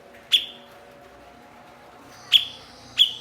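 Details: Master-bird recording of a blue-winged leafbird (cucak cungkok), a mimic of other birds: one crisp chip, a two-second pause, then two more bright, falling notes in quick succession over a quiet background.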